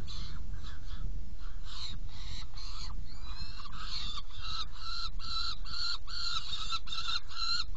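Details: Feeding time at a saker falcon nest box, 17 June 2018, 10:31: a rapid run of rasping, strained calls, ragged at first and then steady at about two per second, with a faint rising whistle early on and a steady low rumble throughout.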